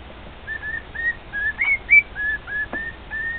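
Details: Male pet cockatiel singing indoors to two other cockatiels: a string of about a dozen clear whistled notes, mostly level or gently rising, a few sliding up higher, with soft room noise behind.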